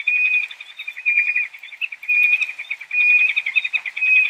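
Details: A peregrine falcon (Falco peregrinus) gives harsh, rapid chattering notes in bursts about once a second, high-pitched and grating, with no other clear sounds.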